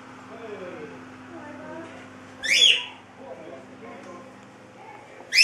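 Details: Chestnut-fronted macaw giving a loud, harsh, raspy squawk midway, with a second squawk starting right at the end, over a quiet background of faint low murmuring.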